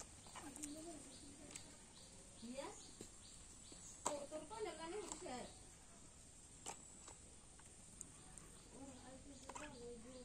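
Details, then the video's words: Common myna talking, uttering speech-like phrases of short voiced syllables with shifting vowel tones, separated by brief sharp clicks and chirps over a low background hum. "শালিক পাখি কথা বলে"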